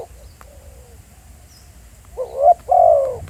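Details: Spotted dove at a field site at Pha Sing: faint distant cooing at first, then two louder, low, slightly wavering coos near the end.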